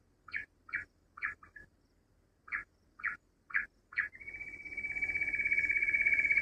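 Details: Rock bush quail call used as a hunting lure: seven short, bright notes at roughly half-second intervals, then a steady, high, continuous whine filling the last two seconds.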